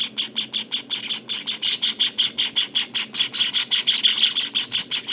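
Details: Nineteen-day-old Java sparrow nestlings give a continuous series of rasping, high chirps, evenly spaced at nearly three per second, swelling slightly toward the end.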